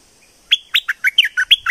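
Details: Streak-eared bulbul recorded in southern Thailand delivering a jumbled phrase of around eight liquid, slurred notes. The notes vary between higher and lower pitches and come in rapid succession.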